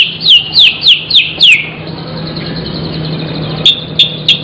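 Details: Magpie-robin (murai) in lively filler song: five loud down-slurred whistles in quick succession, then a quiet pause with low hum, and finally three short sharp high notes.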